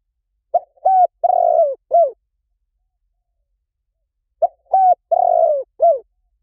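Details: Two evenly spaced phrases of spotted dove cooing, four notes each with a buzzy, sustained third coo and a dropping last note, played as a lure, with no other sounds.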